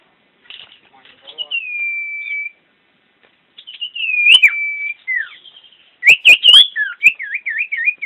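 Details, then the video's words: Common iora, a champion bird singing actively: sustained level whistles with falling endings, then rapid looping whistled notes with a few sharp clicks. "Burung Cipoh Jawara Gacor"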